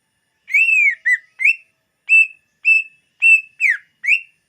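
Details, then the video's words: Greater green leafbird song used to lure birds: clear whistled notes, some arched, some level, one sliding down, spaced about half a second apart in clean silence. "SUARA BURUNG CUCAK IJO UNTUK PEMIKAT"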